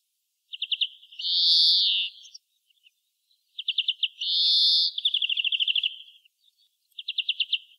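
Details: Greenfinch song with short rattling trills alternating with long nasal buzzy wheezes; one wheeze runs straight into an extended rapid trill before another brief trill ends the phrase.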